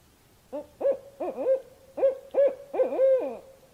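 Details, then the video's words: Barred owl calling with six resonant hoots, a doubled hoot early and a pause midway, closing with an extended, slurred hoot that sinks at the end; otherwise quiet. "Barred Owl Sounds"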